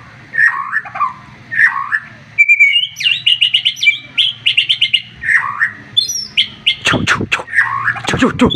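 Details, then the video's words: Agitated white-rumped shama with a piercing voice, driving a rival to respond. It delivers varied whistled phrases and fast trilled series, with sharp tapping clicks near the end. "MURAI BATU OVER EMOSI DENGAR TEMBAKAN nya bikin lawan nya ikutan emosi dan ikutan GACOR"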